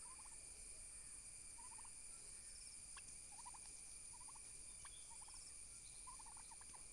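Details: Domestic turkey toms fighting each other for dominance give six or seven quick, rattling gobble bursts, each a tight run of pulses, spaced roughly a second apart against constant background hiss and a thin high hum.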